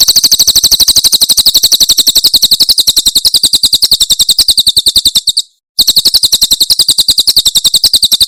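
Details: Javan prinia song in the 'tembakan' style from Cililin, used for songbird tutoring: an unbroken run of sharp, high-pitched chips about four a second. A short gap comes late, then the series continues. Background is clean.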